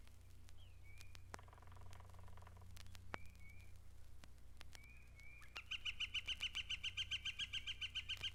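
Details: Wood ducks in the Mountain Lake Sanctuary, Lake Wales, Florida, where they nest in tree boxes: three thin, rising squealed whistles a second or two apart, then a fast run of sharp repeated notes, over a steady low hum.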